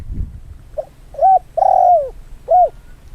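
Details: Trained decoy Spotted Dove, nearly two years old and recovered from a twisted-neck illness, cooing during field training near freshly harvested rice: a soft note, then three mellow arched coos, the middle one long and drawn out, low rumble at the start.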